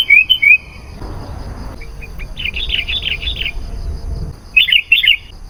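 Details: Sooty-headed bulbul singing in lively, chatty style, used as a lure to call wild bulbuls: a bubbly opening phrase, then a run of rolling liquid notes mid-clip, and a final pair of quick, bright, gurgling bursts.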